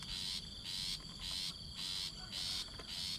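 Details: Rufous-backed Shrike chick, very young, being fed by its mother: loud scratchy hissing calls in a regular series, about six in three seconds, with a thin insect tone running throughout.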